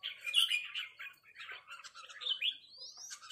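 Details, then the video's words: Red-whiskered bulbul calling in a territorial exchange with a resident bird: harsh chattering notes, then one clear whistle sweeping upward near the end, in quiet surroundings. "นกกรงหัวจุกร้องริกตอบโต้กันมันๆ โดนนกเจ้าถิ่นรับน้องจัดหนัก"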